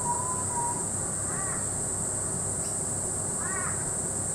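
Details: A butcherbird sings in Peachester, Queensland: one clear, flute-like whistle, then two short arched, slightly harsh notes about two seconds apart, over a steady high insect hiss.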